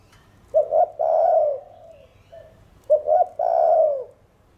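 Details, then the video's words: A spotted dove coos in the thổ đồng voice, meant to excite other doves. Two phrases, each a quick double note followed by a long, wavering, slowly falling coo, with faint low background hum. "Cu Gáy Giọng Hạp Bổi THỔ ĐỒNG Đủ Bài [ GÁY GỌI + THÚC + GÙ ] Kích Bổi Gáy"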